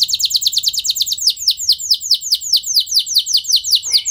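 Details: Canary long roll intended to set other canaries singing: a rapid train of high downslurred notes that gradually slows and broadens into longer sweeping whistles, with a short lower buzzy note near the end.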